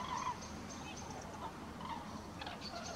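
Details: Common cranes flying over Halle (Westfalen) on 5 March 2018 give distant, rolling trumpet calls, several overlapping notes across three seconds, over a steady hum of road traffic.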